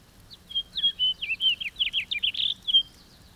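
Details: House finch song: a quick, high-pitched tumble of varied slurred and chirping notes lasting under three seconds, ending in a short burry note and a final clear slur, against faint background hiss.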